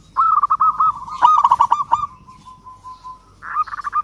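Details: Local zebra dove in lively singing form, cooing to call a rival: a long trilled, stuttering coo around one pitch, fading to a steady hum, then a fresh burst of quick pulsed notes.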